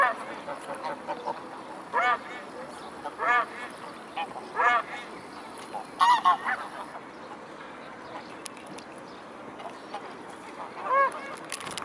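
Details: Evening flock of mute swans at the Blaues Wunder on 22 May 2016: spaced nasal honks with ringing harmonics, roughly every second or two at first, then sparser, over a low continuous background hum.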